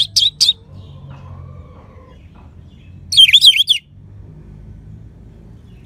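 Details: Orange-headed thrush, anis merah, singing to spur other birds on: two short sharp notes, a long quiet gap with a soft low whistle, then a loud tumbling phrase of squeaky, wavering notes.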